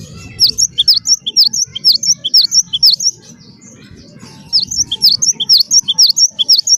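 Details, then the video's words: Java sparrow known locally as gelatik batu wingko, used as a lure to get other birds singing: bursts of sharp, high, bright chirps repeated about twice a second, two bursts split by a short pause, faint low rumble beneath. "gelatik batu wingko gacor wiceh auto jernih segala jenis burung pasti ikut gacor"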